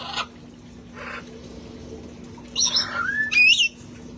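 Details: Sanctuary parrots having fun outside before cold weather: a couple of rough squawks, then a bright rising whistle that climbs and twists upward, with a steady low hum underneath.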